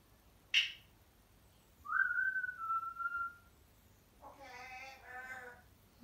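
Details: Pet African grey parrot chattering indoors when alone: a sharp burst, a smooth whistle rising then levelling and fading, followed by harmonic-rich speech-like nasal sounds.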